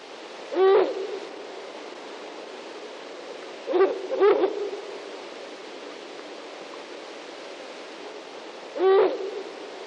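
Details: A female Ural owl near the nest gives short, hoarse, barking calls, one given as a quick double, spaced several seconds apart over a steady background hiss.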